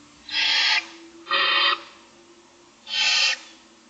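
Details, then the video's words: Food begging from barn owl owlets, six in a nest box under a camera, in the morning: three loud, flat, rasping hisses, each about half a second long, with a longer gap before the last. "Barn Owls : 6 owlets looking for food"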